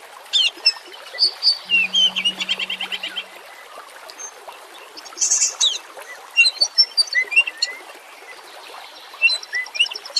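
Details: Oriental magpie-robin song used as a lure to get other magpie-robins singing; bursts of clear high whistles, rapid chattering notes and buzzy trills in loose phrases, with a low hum at one moment over constant background hiss.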